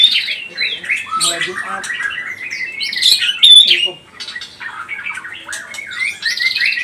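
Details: White-rumped shama, a pistol-type bird used as a lure to provoke other birds, singing a rich varied song of whistled and chattering phrases mostly high-pitched, with harsh notes and brief quieter gaps.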